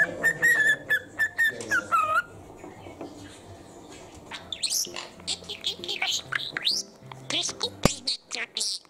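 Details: Male parakeet at home: a run of clear repeated whistled notes for about two seconds, a pause, then fast scratchy chirping chatter with a sharp click near the end.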